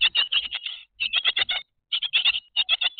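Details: Noisy grey tit calls in three quick bursts of harsh, rapid chattering notes separated by short silences, each burst packed with five or six clipped notes.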